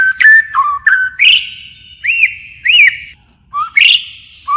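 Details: White-rumped shama giving a forest-style song full of phrase changes: short stepped whistles, two arched whistled notes, brief high clicks and pauses between phrases.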